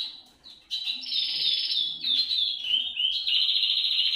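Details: Canary song, played to encourage other canaries to sing: high, rapid rolling trills and buzzy tours that switch pitch every half second or so after a brief quieter opening.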